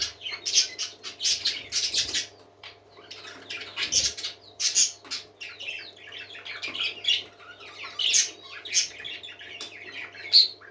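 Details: Many parakeets singing together, with loud squawks and fast twittering phrases that rise and fall in waves, plus an occasional dull bump and a steady background hum.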